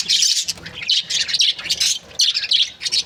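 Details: Several budgerigars, kept as breeding pairs, keep up a continuous busy warble of sharp high chirps and scratchy squawks, pulsing in short bursts.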